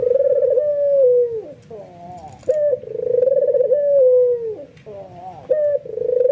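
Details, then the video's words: White albino ringneck dove, worked up and fully nodding, stirring other doves to coo along; a deep rolling coo slides down at its end, then a brief rising note leads into the next long coo, repeated twice more. "SUARA BURUNG PUTER PUTIH ALBINO FULL NGANGGUK EMOSI BIKIN PUTER LAIN TERPANCING IKUTAN GACOR"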